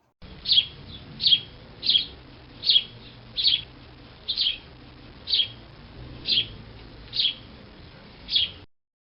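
A house sparrow gives about a dozen bright, single chirps, one every second or less, over a faint low background hum.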